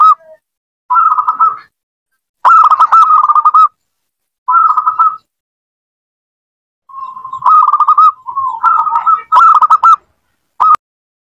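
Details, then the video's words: Zebra dove singing, played to prompt a quiet pet dove to start calling: rolling, trilled cooing phrases of varied length separated by silent gaps, some phrases dipping slightly lower before rising back. "PANCINGAN BUAT PERKUTUT MALAS BUNYI"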